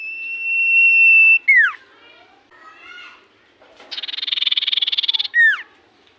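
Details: Common iora in full voice: a long level whistle breaking into a falling slur, softer warbling notes, then a rapid buzzy trill closing with another downward whistle.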